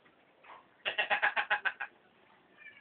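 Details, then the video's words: Hill myna that imitates human voices it hears around it, such as vendors calling out. Delivers a rapid string of eight clipped, laughter-like syllables at a steady beat, preceded by a soft note. "Burung Beo Bisa Bicara jualan Tape,,cari uang perak.."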